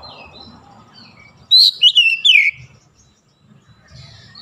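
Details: Oriental magpie-robin (kacer) singing in morning sunlight: one brief burst of three loud descending whistled notes with high flicks, faint thin whistles before and after.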